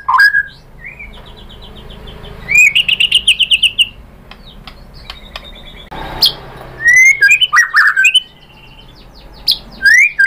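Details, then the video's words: Song of the white-rumped shama played to stir other birds to sing: bursts of rapid trilled chips alternating with quiet stretches, then slurred whistles and crisp clicks. "PANCINGAN MURAI BATU bikin NYAUT BUNYI GACOR NGEPLONG BONGKAR ISIAN"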